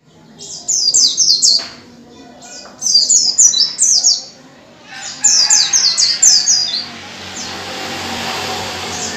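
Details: White-eye song, played as a lure to get caged white-eyes to open their beaks and sing, with three bursts of high, rapid, sweeping descending notes separated by short pauses; a hiss of noise follows at the end.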